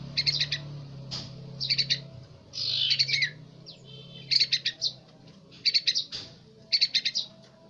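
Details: Juvenile yellow-vented bulbul practising its song: clipped clusters of high, sharp chirps separated by short pauses, with one longer, slurred warbling phrase midway and a faint low background drone.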